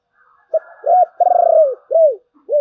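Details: Spotted dove cooing in the thổ bầu song style: a clipped opening note, an arched coo, a long stuttering, pulsed coo, then two more rounded, falling coos. No background noise.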